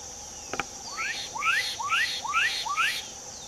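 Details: Black-capped donacobius song: five clear upslurred whistles in an even series roughly every half second, following a brief knock, with a constant shrill insect drone behind.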